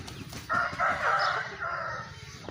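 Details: Aseel rooster crowing: one harmonic crow of about a second and a half, steady and slightly drawn out, over a noisy, rumbling background.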